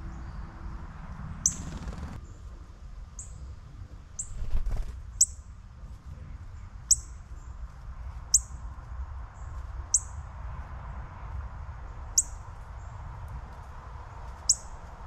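A Northern Cardinal gives sharp, high, metallic chips, about ten of them, one every one to two seconds, over a steady rumble of wind.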